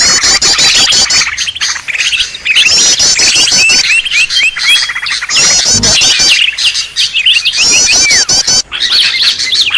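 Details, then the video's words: Noisy green leafbird sound used to lure and trap birds: loud, dense bursts of scratchy chatter and quick warbled high notes, repeated in runs of about two seconds separated by short gaps, with clicking sounds underneath. "suara burung ribut"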